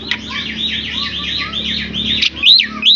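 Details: Pet Javan myna vocalizing: a continuous stream of wavering, looping whistled notes repeated rapidly, ending in a few louder rising whistles, with a low background hum.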